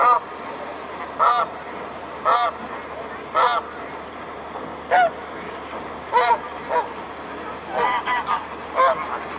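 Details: Mute swans in a large gathering at the Blaues Wunder, 22 May 2016 around 19:25 in the evening: loud, nasal, harmonic honking calls repeated roughly every second, some overlapping, over a steady background hiss.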